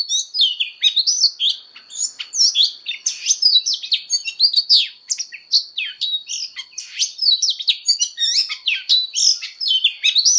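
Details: Oriental magpie-robin in fighting-song voice training: an energetic, unbroken medley of bright whistled notes, fast slurs and chattery chips, and a faint steady high tone throughout.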